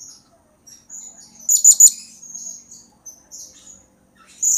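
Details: Blue-crowned hanging parrot calling briskly as a lure sound. Scattered thin high chirps surround a loud burst of three quick, sharp notes. Squeaky high notes follow at the end.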